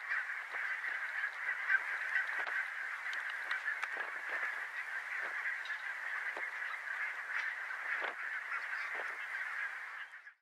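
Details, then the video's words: Large flock of barnacle geese recorded in February 2014 at Workum in the Netherlands, a steady wall of overlapping high yapping and barking calls that continues without a break. "Bernache nonnette (Branta leucopsis) Barnacle Goose"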